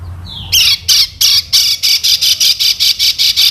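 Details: From Lombok, a lemon-bellied white-eye sings as a lure for teaching other birds. A soft falling note leads into a run of loud, rasping, buzzy bursts repeated nearly three times a second.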